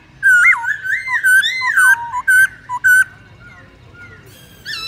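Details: Black-throated laughingthrush delivering wild song for training young birds: a rapid burst of loud warbled and dipping whistles in the first three seconds, followed by quieter scattered notes.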